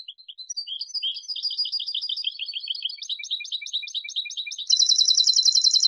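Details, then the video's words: European goldfinch song: continuous varied twittering of jumbled high notes, shifting pitch, ending in a loud, dense buzzy trill. "CD JILGUERO"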